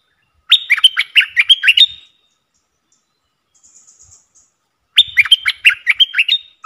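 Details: Streak-eared bulbul lure call used for bird trapping: two bursts of quick, bubbly chattering notes, each lasting about a second and a half, separated by a quiet gap with a faint thin hiss.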